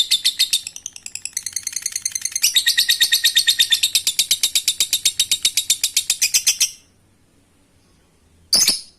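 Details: Long lovebird ngekek, a trill meant to trigger other birds to join in. Fast rattling chatter that stutters briefly, then speeds and strengthens into a steady buzzy run of nearly seven seconds, followed by a pause and one short harsh burst.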